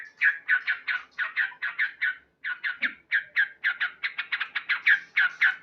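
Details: A male yellow-vented bulbul calls loudly in the morning in quick rhythmic series of harsh 'cuk cuk' notes, broken by one short pause, with a single low note near the middle.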